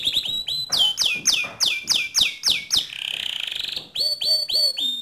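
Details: Canary song to provoke another canary into rolling song: steady series of sharp falling whistles, a buzzy rolled trill, then several more slurred whistle notes.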